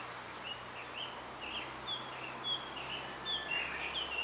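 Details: Male blue rock thrush calling for a female in a bamboo grove: a series of short whistled, slurred notes, some sharp and bright, spaced irregularly over a steady background hiss.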